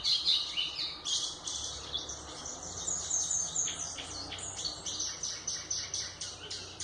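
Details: Dense, energetic White-throated seedeater song, played as a model for young birds. Fast chattering and warbled high notes repeat in tight bursts across nearly seven seconds, with a steady quiet background.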